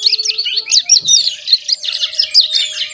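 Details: A month-old Javan sun-blue robin learning to sing: a dense, continuous stream of high, fast twittering notes and slurred chirps, with a faint low hum in the background.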